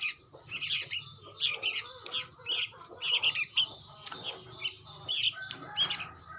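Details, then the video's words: Sooty-headed bulbul nestling uttering repeated shrill, harsh chirps in short bursts about once a second, fairly loud and insistent throughout. "Anak burung kutilang"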